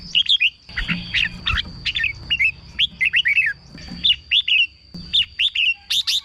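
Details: Caged red-whiskered bulbul, recorded to excite caged birds or serve as a decoy, sings short bubbly whistled phrases of two or three notes, ending in sharp high clicks, over low background rumble and a faint steady tone.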